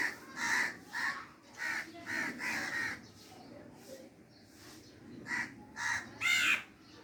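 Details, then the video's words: Crow calling with rough, grating caws: a quick cluster of five or six notes, a quieter pause with soft murmurs, then three more emphatic caws, the last one loudest and harshest. "crow sound effect"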